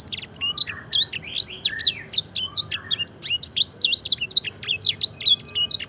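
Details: Canary singing a training song mimicking blackthroat and edel sanger phrases: fast, dense run of high, clear whistled slurs and chips, rising and falling notes packed without pause.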